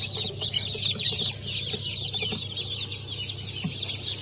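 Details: Newly hatched chicks of Cream Legbar, Sultan and Maran breeds, hatched on 15 March 2024, give a dense chorus of high, thin overlapping peeps and cheeps without pause, over a steady low hum from indoor machinery.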